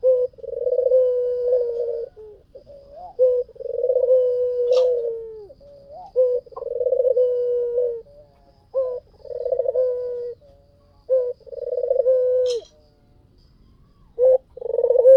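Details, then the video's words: White dove cooing steadily, each phrase a brief clipped note followed by a long rolling, pulsing coo, repeated about every two and a half seconds in a quiet setting. "SUARA PUTER PUTIH FULL GACOR"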